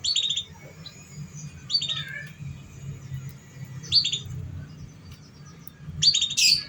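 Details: Canary song used to draw out young, still-learning canaries: brief sharp high chirp clusters about every two seconds, ending in a denser burst of high notes, with a constant low background hum.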